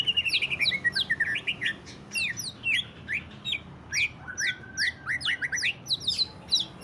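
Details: Greater green leafbird singing 'ngentrok' song meant to draw song from other leafbirds: fast chattering sequence of sharp, steeply sweeping notes in pulsed bursts, about two per second, over low background hum.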